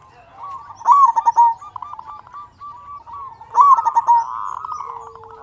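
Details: Singing local zebra dove with a loud voice, used to stimulate other zebra doves to sing. Two loud rattling phrases, each finishing in a clear coo, are followed by a string of soft quick coos.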